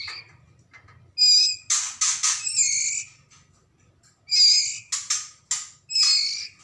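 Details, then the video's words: Young white-rumped shama of the Medan type, recorded in Lamongan, East Java, uttering rough, noisy rasping bursts in uneven clusters, several quick harsh notes together, then a pause of over a second. "Anakan Murai Batu Medan"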